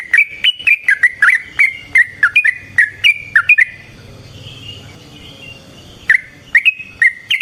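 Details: Yellow-vented bulbul singing a long 'tarung ropel' fighting song meant to draw answers from other bulbuls; rapid string of bubbly slurred notes, a soft pause, then more whistles.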